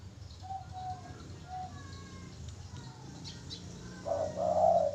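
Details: Spotted dove singing: soft level coos in the middle, then a louder, rough, rolling coo phrase near the end, over low background hum.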